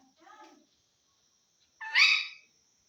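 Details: Talking parrot from Assam: a soft, low voice-like sound, a pause, then one loud, harsh, rising utterance lasting about half a second, with a faint high whine throughout.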